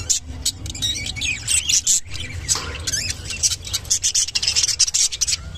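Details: Lutino budgerigar giving its mating call: a continuous, fast, high chattering warble of squeaky chirps and twitters, over a low steady background hum.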